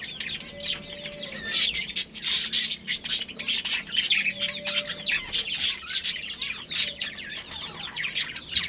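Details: A breeding pair of budgies giving rapid scratchy chirps and squeaky warbles in dense rhythmic bursts through the whole stretch, with a faint steady low tone heard twice.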